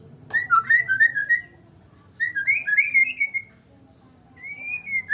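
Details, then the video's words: White-rumped shama, Medan type, singing without an opponent: three bursts of fluid, clear whistled phrases with quick up-and-down slurs, separated by short pauses. "KICAUAN BURUNG MURAI BATU MEDAN TANPA LAWAN"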